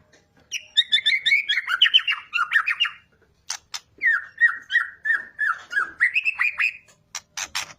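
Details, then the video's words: White-rumped shama in full voice, used as a lure to prompt singing: rapid, slightly harsh warbled phrases, a short gap with sharp clicks, then a further run of quick repeated notes ending in clicks. "Pancingan murai batu gacor 🔥 Burung auto bunyi"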